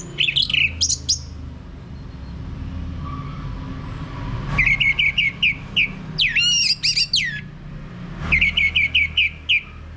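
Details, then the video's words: Lure song of the orange-headed thrush for males singing in ngeplong style: varied phrases of sharp chips and swooping whistles, separated by bursts of fast, evenly repeated notes, over constant low background hum. "ANIS MERAH Mau Berbunyi Ngeplong"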